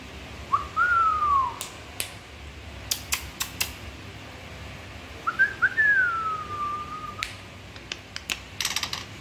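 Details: White-rumped shama song with two clear whistled phrases, each swooping up then gliding down, several seconds apart. Sharp clicks and knocks scattered between them.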